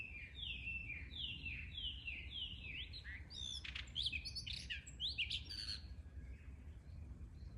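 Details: Blue rock thrush exchanging calls: a run of five clear, slightly falling whistled notes about two-thirds of a second apart, then a burst of sharper, varied chirps and quick trills, over a steady low rumble.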